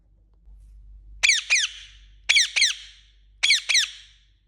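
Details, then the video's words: ['Indian ringneck parakeet chirping: three pairs of sharp, high, downward-sweeping squeaky notes, each pair a quick double chirp, spaced about a second apart, over a faint low hum.'] "Natural Parrot Sound | Parrot Calling Sound| Indian Ringneck Chirping Sound"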